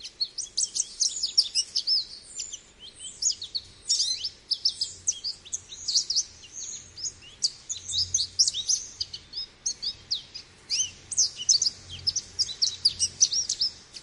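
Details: Extended American goldfinch song, an energetic, nonstop series of high twitters, chips and slurred whistles in tight bursts, with a faint low hum in the background.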